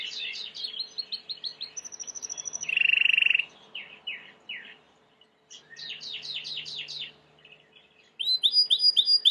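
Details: White Timbrado canary song offered for training: series of quick falling notes, a short metallic rolled trill, pauses, then more descending strokes and a bright ringing trill at the end over a low steady hum.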